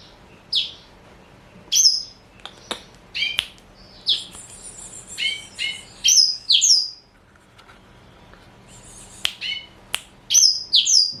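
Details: Caged four-year-old male black-throated canary, a Somerini x Botswana cross, sings a lively run of high, sharp, downward-sweeping notes in bursts, a brief silence midway, then more rapid chirps.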